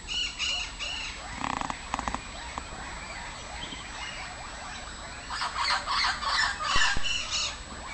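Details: A Brazilian hawk-headed parrot about 45 years old, said to be the last known living one, gives harsh harmonic squawks near the start, then a quick run of rasping calls in the last few seconds, over steady background hiss.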